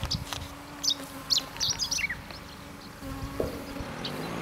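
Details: A chestnut-eared bunting on the Kirigamine highland sings a quick, sputtering phrase of high chips and twitters ending in a short falling note, over a steady low hum; a Japanese bush warbler also calls.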